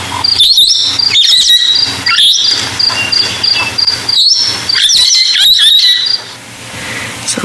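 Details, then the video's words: Parrot call played as a reference during an evening safari drive on 13 March 2022, away from the dam where parrots were sought: shrill, very high squeaking calls in quick irregular bursts, faint voice and low rumble beneath. "I'm hoping you could hear that nicely it is a very high pitched squeaking sound and that is what I am listening for"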